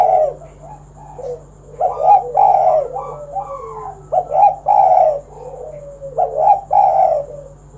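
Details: Spotted dove call used to coax other doves into singing: repeated hoarse, mellow coos grouped in multi-note phrases, some notes sliding downward, separated by brief quiet gaps against a faint steady hum.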